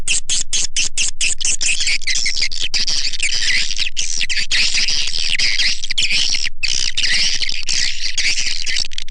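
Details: Swiftlet lure call used by Indonesian swiftlet farmers to attract the birds: a continuous dense wall of buzzy twittering broken by quick chirping pulses, loud and unbroken throughout.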